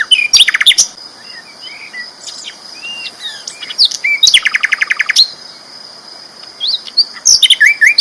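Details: Loud sikatan londo flycatcher song for training: sharp chips, soft warbled whistles, then a rapid trill of repeated notes, with more quick chattering at the end over a steady high background hum.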